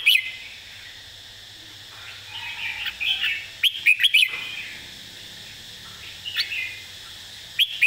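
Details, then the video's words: Model song of a red-whiskered bulbul, easy phrasing played to teach birds: soft warbling builds into a loud cluster of rapid whistled notes, then quieter notes and a final sharp chirp. "สำนวนเพลงแม่บท ร้องง่ายๆ (ไว้เปิดสอนนก)"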